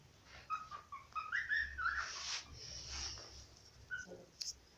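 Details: Pet cockatiel singing: a short series of clear whistled notes stepping upward in pitch, then a brief trailing whistle, over a low background hum.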